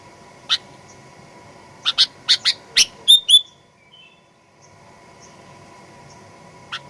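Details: Sooty-headed bulbul fighter-style lure call for provoking aggressive singing: an accelerating run of five loud chirps ending in quick whistled flourishes, then quiet and a single faint note.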